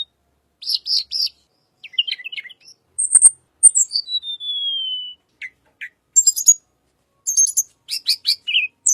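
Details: Little pied flycatcher, recorded as a lure for white-rumped shama: varied thin high twitters and ticks, one long falling whistle, and buzzy rattling bursts near the end.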